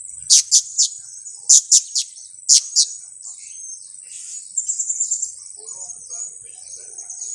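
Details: Blue-crowned hanging parrot calls of the kind used as a lure for trapping: sharp, very high chirps in quick clusters, then a short trill of faint rapid notes over a steady high hiss.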